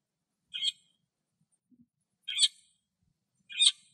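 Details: Lesser grey shrike singing outdoors in Greece: three scratchy, rasping notes, the later two louder and fuller, spaced about one to two seconds apart against near silence.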